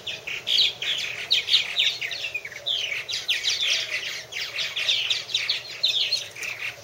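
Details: Purple martins at nest houses in a busy chorus: harsh chirps, croaking notes and gurgled phrases from multiple birds run together without break.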